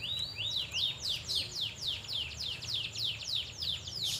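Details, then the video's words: Caged Asian fairy-bluebird singing while set out to sunbathe in Banjarmasin: a fast, steady run of sharp, high, down-slurred whistled notes, about three to four each second, over a faint low hum. "Burung Cucak Biru Gacor saat dijemur"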